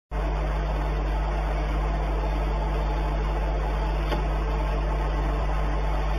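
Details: After a brief silence, a loud steady mechanical hum with a buzzing hiss starts and runs to the end, with no animal calls.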